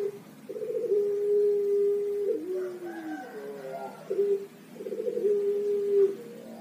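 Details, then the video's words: Javanese Pelung turtle dove, young bird, delivering its long melodious song: a rapid rattle of notes swelling into a sustained even coo that drops away, followed by fainter warbling and a second stuttered coo phrase. "Puter Pelung Young Age Birds Have a Long, Melodious Voice"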